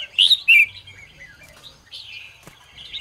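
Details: Red-whiskered bulbul singing in the morning, a recording for training other bulbuls. Two loud, clear whistled notes open the clip, followed by softer rambling chatter and a sliding phrase near two seconds.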